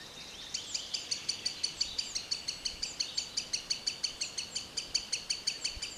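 Green sandpiper giving a rapid, steady string of sharp, high whistled notes, several each second, with only faint background noise.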